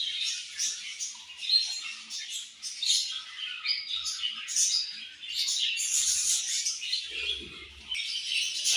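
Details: Budgerigars at their morning feed giving an unbroken flow of high warbling chatter and quick chirps, with a brief low scrape near the end.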